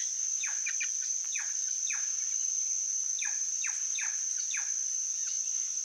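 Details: Cyanocorax chrysops calling in bursts of sliding notes that drop steeply in pitch, grouped in twos and threes with short pauses, set against an unbroken high-pitched insect buzz.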